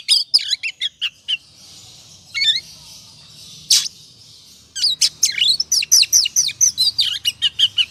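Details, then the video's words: Oriental magpie-robin singing as a lure to spur other birds to sing: vigorous, varied high warbles with quick upward and downward slurs, a pause with soft hiss, then a long fast rattle of sharp repeated notes. "Pancingan suara kacer ngobra,,pasti emosi dan gacornya terpancing.."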